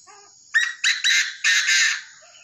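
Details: Tame Chinese francolin giving a loud, harsh call of four rasping bursts over about one and a half seconds, the second and third clipped and close together, the last longest, with faint chirps before and after.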